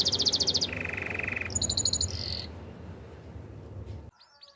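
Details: Spanish Timbrado canary song with quick high repeated notes giving way to a lower steady trill and a metallic rattle, then fading into quiet.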